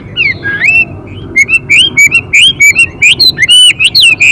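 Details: Male Chinese hwamei singing in the varied 'đảo giọng' style alongside a female: rapid, clear whistled notes with rising and falling slurs, packed densely after a brief opening flourish.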